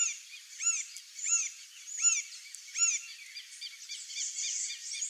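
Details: A male Green-barred Woodpecker (Colaptes melanochloros) in Brazil, near water, gives a series of loud, arched, ringing notes, about one every 0.7 seconds, with other birds chattering in the background.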